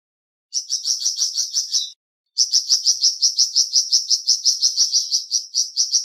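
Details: Flamboyan bird song: quick, high chirped notes around three per second in a steady string, broken by a short pause after about two seconds, then a longer run. The background is silent.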